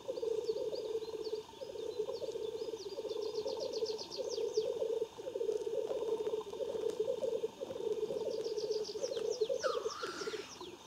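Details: Black grouse at a lek near Klassino, Omsk region, Siberia, 2018, give a continuous low rolling, bubbling murmur in pulsing waves. A short rising hiss comes near the end, and thin high calls of other birds are heard above.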